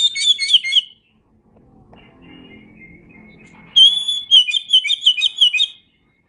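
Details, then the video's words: Kacer (Oriental magpie-robin) masteran song: a short chattering trill, then a quiet stretch with a faint low hum and a thin rising whistle, then a long, loud series of rapidly repeated whistled notes. "Masteran Suara Kacer"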